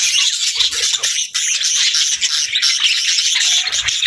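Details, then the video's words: A flock of budgerigars produces constant bright, scratchy warbling and sharp chirps layered on top of one another, with barely any pause. "Parakeets Chirping for Lonely Birds | Relaxing & Happy Budgie Sounds"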